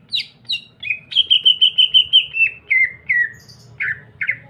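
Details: Greater green leafbird in full song to stimulate other leafbirds to sing: a rapid trill of about seven even whistled notes, then a falling series of slurred phrases and two short buzzy notes, over a faint low hum.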